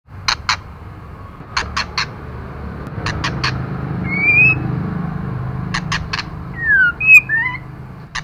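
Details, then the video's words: Female white-rumped shama calling to stimulate male birds: short sharp clicks in pairs and triplets, with two brief whistled notes near the middle and end, over a low background hum. "Lửa mái kích trống hay nhất"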